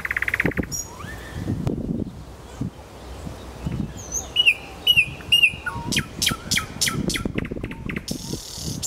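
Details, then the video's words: In Kuzminki forest park a nightingale sings a short buzzy burst, slurred whistles, three loud rising notes half a second apart, then sharp clicking notes and a closing rattle; faint background rumble. "Голос соловья и он сам в конце ролика"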